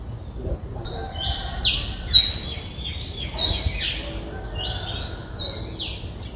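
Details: Three-day-old Streak-eared Bulbul chicks in the nest in Ubon Ratchathani, Thailand, on 5 April 2023. Several high, thin notes arch up and then slide down, overlapping and repeated quickly. Low background rumble throughout.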